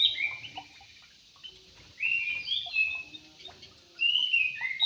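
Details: Javan pied starling singing: short bright chirps and slurred whistled notes in bursts, with quiet pauses between phrases.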